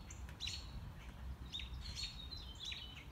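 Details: Wild mockingbird heard on a morning walk, running through its repertoire unseen: varied high whistled phrases and short chirps near 4k, with a steady low rumble of background noise.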